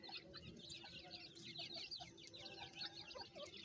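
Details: Francolin chicks, farm-kept, with the mother calling them: dense, high, thin peeping chirps overlapping continuously, with scattered lower clucking notes beneath and a steady low background hum.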